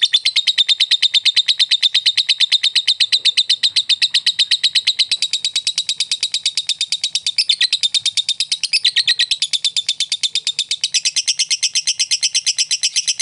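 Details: Lovebird fighter chattering (ngekek) as a lure to provoke a rival into chattering: a long, rapid, unbroken run of sharp high chips, about three per second, steady throughout the thirteen seconds.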